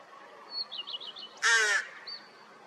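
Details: Rook at a nesting colony on 16 May 2023, after a cold spring, once chicks have hatched: a single loud, raspy, harsh note lasting about a third of a second, with faint thin high twittering before and after.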